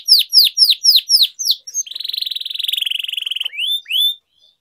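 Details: Canary singing a long-rolling training song: loud repeated swooping chirps lead into a steady pulsing buzzy trill, then a few rising whistled notes.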